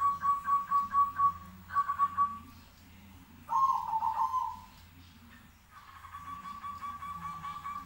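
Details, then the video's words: Zebra doves trade calls: a run of rapid, evenly pulsed coo notes, a short trilled burst, then a louder falling coo, and finally a softer, steadier pulsed coo from another bird, with a faint low hum beneath. "suara perkutut bersautan langsung bikin nyaut"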